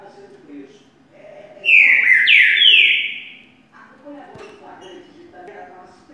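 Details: Green-winged saltator (Saltator similis), song.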